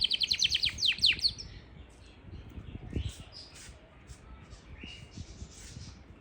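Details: Yorkshire canary in Parachinar giving a short, fast, loud trill of high sliding notes, then falling to faint scattered chirps against low background rumble.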